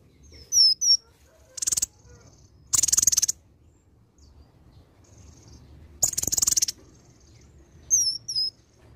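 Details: High, thin whistles from an olive-backed sunbird singing freely, its song filled with varied imitations of other birds, broken by three dense buzzy bursts and ending in short descending whistles.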